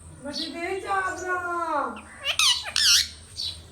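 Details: Indian rose-ringed parakeet kept as a pet, talking: a drawn-out, speech-like voiced phrase that slides downward, then two sharp, wavering squawks and a fainter squeak, with a steady hum in a small room.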